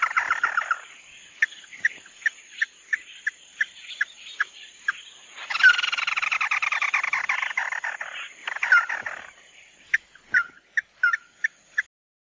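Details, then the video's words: Red-eyed bird (chim mắt đỏ tí nỉ): sharp chirps repeat about twice a second, break into a dense, scratchy three-second chatter, then return as scattered chips, over a steady high electronic whine. "Tiếng chim mắt đỏ tí nỉ"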